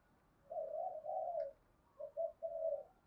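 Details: Spotted dove calling to draw out and provoke other doves. Two soft, drawn-out coos are followed by three shorter ones, heard at a distance over a steady background hiss.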